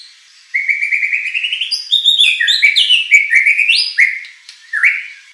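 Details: White-rumped shama song aimed at goading a contest bird to answer: a rising run of quick whistled notes leading into bright, varied slurred whistles that jump up and down.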